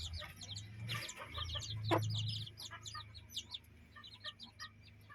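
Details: A hen and her chicks play in a yard and coop. Many shrill, falling chick peeps chatter continuously, with one short, sharp cluck near the middle and a low background hum.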